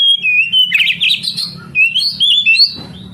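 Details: Oriental magpie-robin song played to stimulate canaries to sing, loud and varied: whistled phrases mixed with a harsh buzzy burst, then bright rising notes, over a low steady hum.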